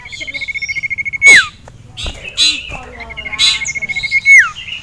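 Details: Male sirtu in a cage, worked up by a rival male and a female, gives two fast pulsed trills, each finished with a loud down-slurred whistle, with harsh scratchy bursts in between.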